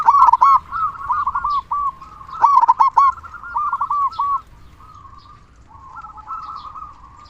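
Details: Strong-voiced local zebra dove whose song serves as a lure to get other doves singing. Loud, clipped, arching coo notes in quick bursts alternate with softer rolling trills, fading to a quiet purr.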